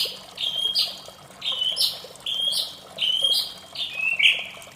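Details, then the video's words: Morning song of a white-rumped shama, a steady run of clear whistled phrases repeated roughly each second, some with sharp upward flicks, set against flowing water in the background. "suara merdu murai batu di pagi hari"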